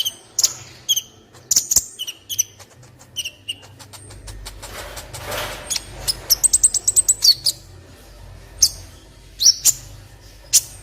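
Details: Olive-backed sunbird song serving as tutor material for other birds: sharp high chirps in short bursts, a hissy patch of noise midway, then a fast run of high ticking notes and scattered squeaks.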